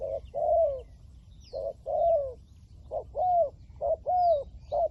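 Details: Spotted dove with a 'liu tan' voice, kept as a decoy for luring wild doves, cooing steadily in rapid short-long pairs, the long notes bending downward, faint bird chirps high in the background.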